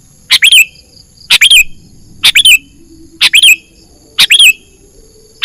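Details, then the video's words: Sooty-headed bulbul calling as a trapping lure for wild birds: five loud chirpy phrases, each a quick double note sliding down into a whistled ending, spaced roughly a second apart, faint background hum. "suara pikat burung kutilang gacor"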